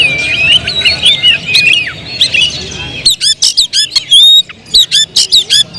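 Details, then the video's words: Oriental magpie-robin at home sings a dense warbled whistle phrase, then switches to a rapid string of loud, sharp clicking chips and a clear whistled note. "suara kicau burung Kacer"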